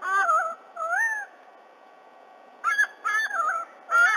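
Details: Black currawong, one of a pair swooping a just-fledged white-bellied sea-eagle chick again and again to drive it back to its nest, Australia, morning of 30 October 2020, nest camera. Slurred, rising-and-falling whistled notes come in two bursts separated by a quiet gap.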